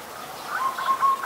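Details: Adult Zebra dove recorded in Ubon Ratchathani, Thailand, on 28 December 2020: a brief series of soft, quick staccato coos that grows louder toward the end.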